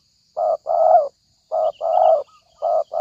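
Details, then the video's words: Spotted dove coos used to lure doves into traps: a rhythmic series alternating one short hoarse coo with a longer, buzzier one, repeated about every second, with a faint high electronic hiss. "pikat tekukur"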